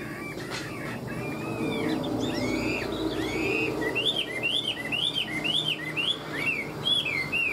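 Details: Chinese hwamei, a tame caged bird kept for fighting, sings ngũ trường song: quiet scattered whistles at first, then a bright series of arched, slurred whistled notes repeated about twice a second over a low background rumble.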